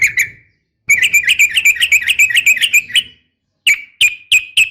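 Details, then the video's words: Yellow-vented bulbul female calling toward a male, a brief double note, then a long fast chattering string of bright notes lasting about two seconds, followed by spaced single chirps. "KICAU SUARA trucukan gacor"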